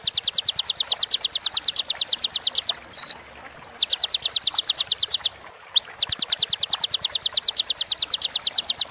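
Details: Kolibri ninja training song in the roll tembak style, for a bird in moult: long, fast trills of very high, sharply repeated notes, about three per second, broken twice by short squeaky slurred whistles.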